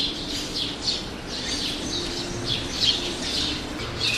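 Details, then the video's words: A roadside mix of birds including sparrows chatters in busy high chirps and brief squawky notes, overlapping throughout, with a low hum beneath. "路邊鳥叫聲 小鳥叫聲"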